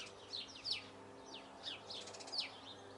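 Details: Song of a Eurasian blue tit: several thin, high downslurred notes, then a brief fast buzzy trill before a final sharp descending note. A low hum sits in the background.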